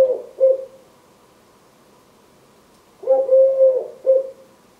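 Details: Three-year-old male Eurasian collared dove, wing-tapping and singing a "please lay eggs" song to his mate. A phrase ends at the start, then after silence comes a soft low coo, a long even note and a short clipped coo.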